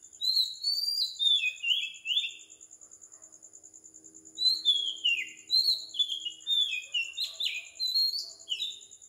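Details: At 4 am on Sri Lanka's tropical island, an Oriental magpie-robin pours out strings of descending, fluty whistles in two bouts separated by a short lull, with a continuous high-pitched pulsing sound in the background.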